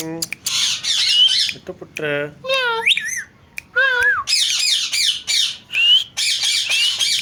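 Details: Talking parrot kept indoors producing speech-like tonal phrases and meow-like wavering cries, followed by stretches of harsh, grating squawks.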